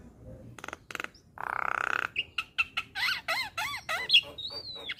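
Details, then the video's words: Javan myna training song for young birds, yellow-eyed type: rattling bursts and a long harsh buzz, then a string of sharp chirps and arching whistled notes ending in a thin drawn-out whistle. "Masteran Jalak Kebo Mata Kun ing Isian Mewah | Masteran Dan Pancingan Burung Jalak Muda"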